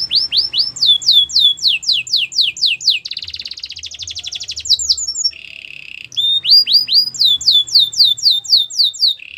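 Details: Belgian canary singing for training young canaries: strings of loud downslurred whistles about four per second, a dense buzzy trill, a low roll, then whistles again.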